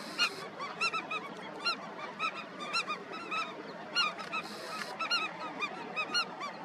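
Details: Many Indian skimmers at their colony giving clipped, nasal barking notes in dense, uneven clusters, callers overlapping near and far against a steady hiss.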